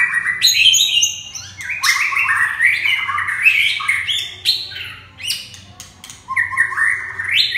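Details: Red-whiskered bulbul singing loudly with a fast, busy stream of harsh, chattering and warbled notes, rising and falling with almost no break, plus a low steady hum underneath.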